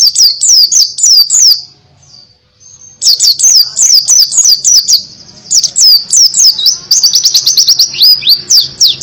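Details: In canary-like 'tembakan kenari' fashion, a Buxton's white-eye pours out quick, high, whistled slurs in bursts, pauses briefly, then resumes with faster chattering trills.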